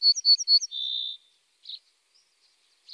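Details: Common starling song: three quick bright high double notes, then a sustained flat, slightly buzzy tone of about half a second, followed by a few soft short chirps after a pause.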